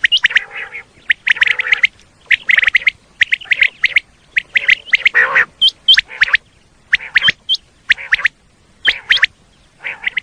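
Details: Common quail calling, used to attract quail for hunting in Pakistan: grouped harsh chirps and squawks in short bursts, with thin, hooked high whistles in the second half and short silent pauses.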